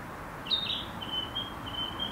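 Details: A Narcissus flycatcher sings on 9 May 2020: a quick, high whistled phrase, then a thin, wavering run of notes held at one pitch, over a faint steady hiss.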